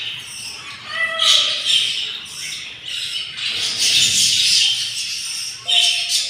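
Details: Hungry budgerigar chicks, day 7 after hatching from four eggs, tended by yellow parents in the nest. Rasping, wheezy begging comes in quick uneven bursts, mixed with a few clear whistled chirps.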